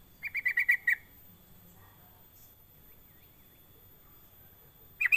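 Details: Lure call of a sooty-headed bulbul meant to set other bulbuls calling: a brisk burst of about six bright chattering notes, a long quiet pause of some four seconds, then another burst beginning.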